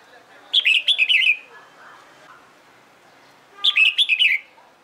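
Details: A Red-whiskered bulbul in song-competition training gives two bright, bubbling warbled phrases about three seconds apart, each a quick run of rich whistled notes; the background is otherwise quiet.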